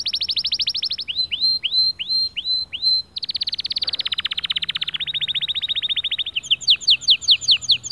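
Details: Male white canary song meant to spur other birds to sing: a rapid buzzy trill, six curved whistles, then more long fast trills and a closing run of crisp repeated notes.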